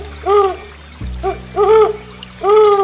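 An owl gives three short, hollow hoots, each gently rising and falling in pitch.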